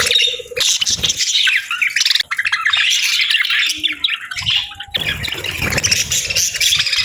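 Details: Parakeets share a warm winter-morning meal, chirping in lively, tangled bursts of shrill twitters and squawks. A brief steady tone is heard near the start, and a louder burst of chatter comes toward the end.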